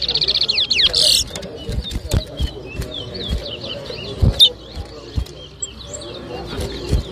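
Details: Chestnut-bellied seed finch (towa towa) singing in a bird whistling competition at Rosehall, Guyana, 2023: a fast buzzy trill opens, then scattered high whistled slurs under voices, clicks and background noise.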